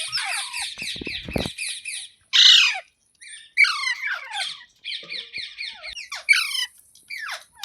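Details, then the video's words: Green parrot chattering in fast, repeated clipped notes, then breaking into several sharp, descending squawks and more bursts of rapid chatter; the calls are high-pitched and scratchy, and the setting sounds indoors. "Green Parrot Talking Natural Sounds | Mitthu Ki Awaaz | Tote Ki Awaaz"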